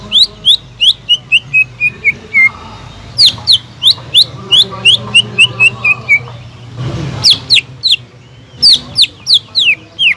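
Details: Greater green leafbird kept as a cage bird, singing vigorously to provoke a silent bird: long series of whistled notes descending in pitch, repeated several times with brief noisy pauses.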